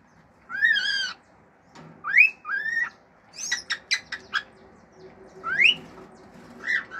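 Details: Male cockatiel kept as a pet, singing natural songs: a wavering whistle, two rising whistled notes, a quick burst of clicks, then another sharp upslurred whistle and a short final note.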